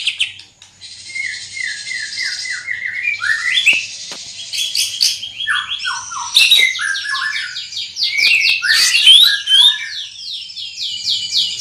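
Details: Loud, strong-voiced greater green leafbird with a big body, delivering a long rich medley of downslurred whistles, buzzy high trills and rapid chattering phrases that shift pitch constantly, barely pausing.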